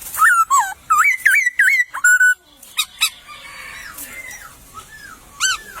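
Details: A wild laughingthrush in a bamboo thicket delivers a quick series of looping, swooping whistles, then faint distant notes and one more sharp rising call.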